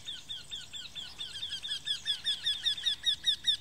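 A Eurasian wryneck gives a run of about fifteen nasal, high 'quee' notes, roughly four per second, growing louder toward the end over faint background hiss.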